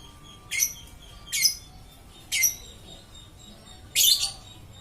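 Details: Lovebird that keeps singing: four loud, high, raspy chirps spaced about a second apart, each a short noisy burst, with a faint steady tone in the background.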